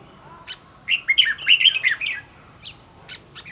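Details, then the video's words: Red-whiskered bulbul, recorded to train a decoy bird to sing well; after a lone chirp comes a rich, rapid warbled phrase of looping whistles lasting about a second, then scattered short, sharp chirps. "Cách luyện chào mào mồi - Hót hay nhanh lửa, Căng"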